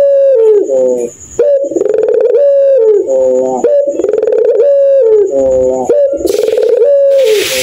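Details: Puter pelung dove at night, its call said to laugh like an evil kuntilanak ghost: repeated rolling coos, each a fast stuttering rattle that slides into a long even hum and drops off, about five phrases, with a hiss near the end.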